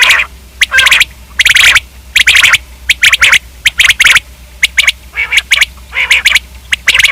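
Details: Common quail giving loud, dense bursts of harsh, rapid clicking notes in groups, with short pauses between bursts, over a faint low hum.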